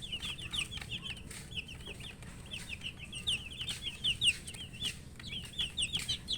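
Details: Chirping coloured chicks, thirsty for water, produce a dense chorus of piercing, high peeps, each a quick downward slur, repeated many times per second across overlapping birds, with light tapping beneath.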